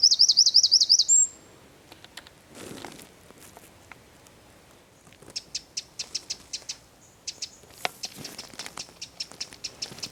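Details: Eurasian wren in Zamudio's San Miguel de Daño district, 4 December 2019, opening with a second of shrill, fast-repeated trilled notes, followed by scattered dry ticking clicks at irregular intervals.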